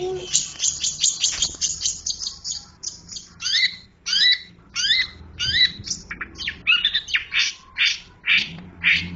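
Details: Long-tailed shrike calling: a busy run of harsh, scratchy notes mixed with short rising whistled phrases, repeated irregularly over about nine seconds, with low background noise.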